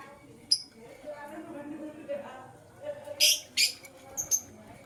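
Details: In the morning, blue and green lovebirds give a brief high chip, then two loud, harsh chirps close together and a thin high note, with soft murmuring sounds in the background.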